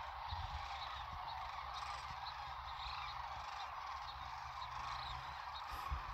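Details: Tens of thousands of Sandhill Cranes calling loudly at sunrise at Whitewater Draw, McNeal, Arizona, in winter before the morning fly-off; a dense, unbroken rolling chorus of overlapping calls over a steady low rumble.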